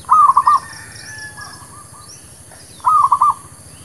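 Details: Trapping lure song of a local zebra dove, also used for new birds: two loud, quick, rippling coo phrases near the start and end, with faint distant cooing and light high chirps between.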